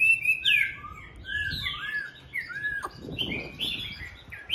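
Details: Home-kept Chinese hwamei in morning song, delivering separate clear whistles and slurred notes at varied pitches, some rising and some falling, with a sharp click midway and soft background hiss.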